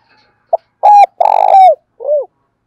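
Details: Spotted dove cooing, used to prompt a male to coo quickly: a short soft note, then two long steady low coos, the second buzzier and falling at its end, and a final short drooping coo, with a quiet background.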